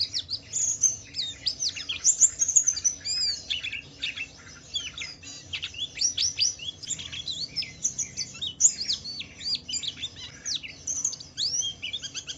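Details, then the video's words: Kept pleci (white-eye), Wiklus Wiksar kind, delivering ngalas song to lure other white-eyes to sing: fast, shrill chattering of downslurred and upslurred notes, near-continuous, with brief pauses between louder bursts. "Suara burung Pleci Wiklus Wiksar memancing Pleci lain cepat cepat bunyi gacor"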